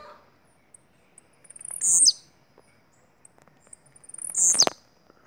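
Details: Bahian blue-black grassquit giving two loud, high, buzzy notes about two and a half seconds apart, each introduced by a short run of quick ticks.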